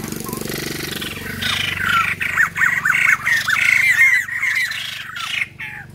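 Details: A caged male white-crested laughingthrush calls when touched and seems frightened: a fast, chattering run of loud arched notes for about four seconds, with a man's voice faintly behind.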